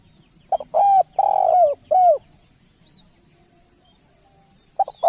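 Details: Spotted dove singing actively: a short phrase of low, mellow coos, a brief stuttered note followed by three longer rounded coos dipping at the end, then a quiet pause and the start of another phrase; a faint steady high hum runs throughout.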